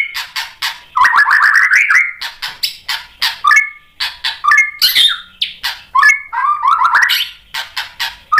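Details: White-rumped shama in full song, played to stir other shamas to answer: harsh rasping bursts alternate with rapid warbled whistled runs and sliding notes, a varied busy medley with short gaps between phrases.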